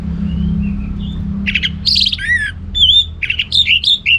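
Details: Orange-headed thrush singing ngeplong gacor, starting with soft faint whistles, then louder sharp chirps, a swooping whistle and quick high notes over a steady low hum.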